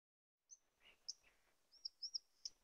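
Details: White-throated dipper singing at the tarn below Kozí štít, giving short, sharp, high notes and brief trills, with a couple of lower buzzy phrases and faint background hiss.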